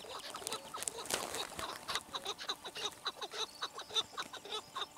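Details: A Chukar partridge gives rhythmic, harsh clucking notes, close to two each second, after a burst of clattering noise at the start; faint high squeaks sound in the background.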